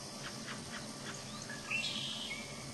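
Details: Mother American robin calling to her nearby fledgling: soft, quick call notes about four per second, then one thin, high note, over a steady background hiss.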